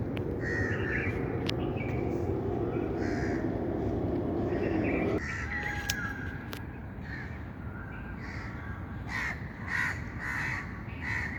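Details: Outdoor birds give repeated rasping calls, several per second at times, first over loud low rumbling noise, which drops suddenly midway and leaves the scratchy calls clearer.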